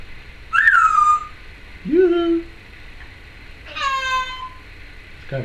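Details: Indoor pet Timneh African grey parrot, a female, making varied noises: a falling squawk, a low rising-then-flat nasal note, and a broad harsh squawk, spaced about two seconds apart in a quiet room.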